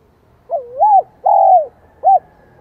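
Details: Spotted dove in Vietnam singing in the high-pitched 'giọng son' voice style: a three-part coo phrase, a dipping then rising note, a long level note, and a short clipped final note, over a quiet background.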